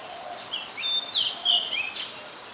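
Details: Oriental magpie-robin, a very common resident, singing at Ubon Ratchathani, Thailand, on 26 July 2022, recorded with a Nikon P1000: bright, clear whistled notes and short sliding phrases, some rising and some falling, over soft background hiss.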